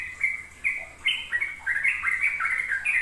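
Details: Sooty-headed bulbul song meant to teach young birds ropel style: separate clear whistled notes at first, then accelerating into a rapid string of slurred, bubbly notes.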